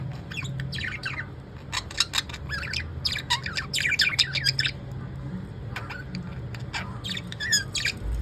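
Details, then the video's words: Caged pet lovebirds calling in the evening, a busy, uneven stream of harsh squawks and sharp chirps about three or four per second, bursts clustering mid-clip, with low room hum beneath. "Pattu Chittu evening vibes"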